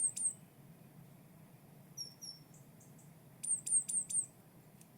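Great tit calls: thin, very high, short notes, first a single, then a pair, then a quick run of four, over a low steady room hum.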